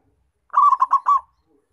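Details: Single phrase from an actively calling local zebra dove, played as a trapping lure: five fast, slightly trilled coo notes run together in just under a second, with clean silence around them.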